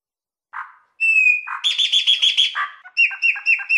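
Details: Chopi blackbird (graúna) in the Mateiro Mineiro song style: a short low note, a long clear level whistle, then a rapid run of buzzy pulsed notes and a string of sharp chirps repeated about four times a second.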